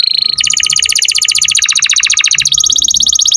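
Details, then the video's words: Canary in 'gacor' song used to tutor songbirds: a short steady whistle, then a dense, loud, fast rolling trill over two seconds, changing pitch, and ending in a higher rapid roll. "Kenari gacor cuit cuit cocok buat masteran burung kicau"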